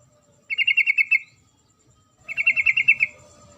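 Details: Calling female sooty-headed bulbul summoning a male: two clean chattering trills of about eight quick, even notes each, about one second apart, in a quiet setting.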